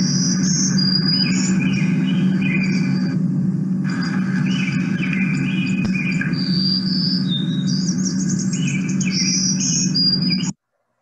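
A Black-throated Green Warbler sings about three high, buzzy phrases of wheezy notes, often rendered 'trees, trees, murmuring trees', over a steady low hum.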